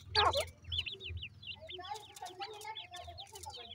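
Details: Grey francolin (teetar) chicks being raised in housing, giving rapid high, thin down-slurred peeps in a busy stream. A loud burst opens the clip, with lower clucking notes and a low hum underneath.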